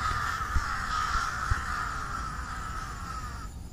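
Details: Crows perched on treetops near their nests in the evening before dark, one giving a single long, drawn-out hoarse caw held for over three seconds, with faint low rumbling background noise.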